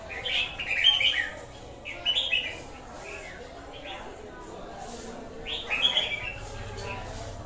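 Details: Red-whiskered bulbul singing a series of lively, slurred whistled phrases, several in quick succession, then a pause before another bright burst.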